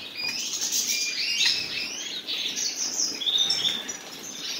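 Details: A pair of common nightingales: dense, high twittering with quick sliding whistles and chirps, overlapping phrases that run almost without pause, with a faint hiss of background noise.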